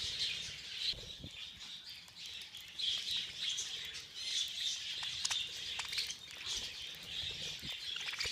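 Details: A feeding frenzy of budgerigars fills the air with relentless shrill chattering and chirps, with occasional sharp clicks and flapping sounds.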